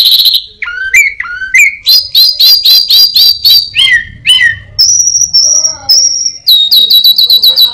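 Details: Orange-headed thrush, a caged songbird, singing a mimicked medley of other birds and a cat: rapid sharp chirps, a sustained high whistle, then fast repeated notes; loud and close, no other sounds clear.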